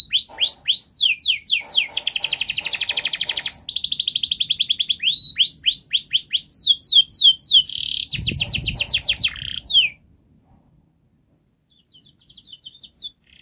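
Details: Domestic canary in long, fast, dense gacor song, played as a lure so young canaries start singing quickly: rapid trills of repeated high syllables, buzzy rattles and rising sweeps for ten seconds, a short noisy burst near the end, then faint chirps.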